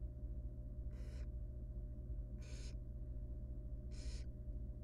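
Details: Barn owl nestling, wild, inside a research nest box while its mother helps it with a large rodent, repeats three loud breathy screeching hisses about 1.5 seconds apart against a constant low electrical hum.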